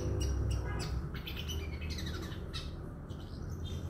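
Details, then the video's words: Young male Madura long-tailed shrike, recently released from the nest, practises putting together its song in a quick run of scratchy, high chirps, about four a second, over a steady low rumble. "cendet lepas trotol nyusun lagu"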